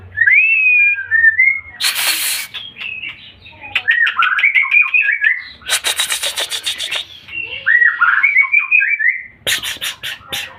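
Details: White-rumped shama in full, energetic song: varied whistled phrases sliding between mid and high pitch, interrupted three times by loud broadband rattling bursts.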